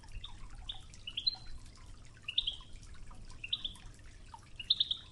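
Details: European goldfinch singing in the Oujda Toughza style over running river water, heard as scattered short, bright tinkling notes spaced irregularly, fairly soft beneath the steady trickle.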